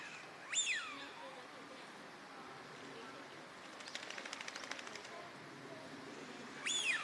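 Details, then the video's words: Wintering Eurasian wigeon in a park pond at Junsai-ike, Chiba, Japan, March 2025: a sharp, high whistle that rises and then drops away, repeated about six seconds later, with a burst of rapid dry ticking in between. "ヒドリガモ鳴き声 (Mareca penelope) - カモの鳴き声 / Eurasian Wigeon Sounds"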